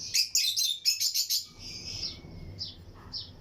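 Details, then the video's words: Lutino lovebirds chirping in a breeding colony aviary with other birds: a rapid run of sharp, high chirps for about one and a half seconds, then a thin drawn-out whistle and a few scattered short notes. "Lutino Lovebirds Breeding Colony Cage - Chirping and Relaxing Sound"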